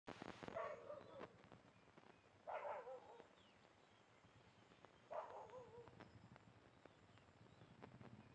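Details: A Eurasian coot at Kannamangala lake gives three loud, harsh, barking notes about every two and a half seconds, with a faint hum of outdoor noise between them.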